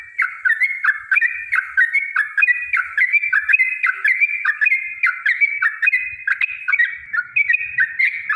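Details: Yellow-vented bulbul (trucukan) pouring out its long 'ropel panjang' song to provoke rival bulbuls: a steady stream of liquid, slurred notes, several per second, running without a break over a clean, quiet background.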